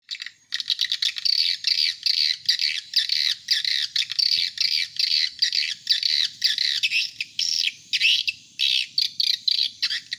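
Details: Swiftlet call used to attract adult swiftlets: dense buzzy rasping chirrs in rapid bursts, each about half a second, repeated almost continuously with short gaps.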